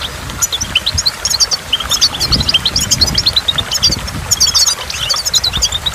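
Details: By a waterfall, a goldfinch pours out lively twittering song of quick, jumbled high notes and short trills, almost continuous, backed by the low roar of falling water.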